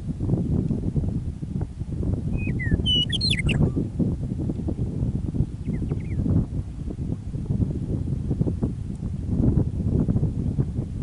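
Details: Meadowlark singing on prairie near Michichi Dam, Drumheller, Alberta, Canada, on an early spring evening after winter: clear whistled opening notes, then a quick tumbling, descending flourish, a fainter phrase following seconds later, over a steady low rumble.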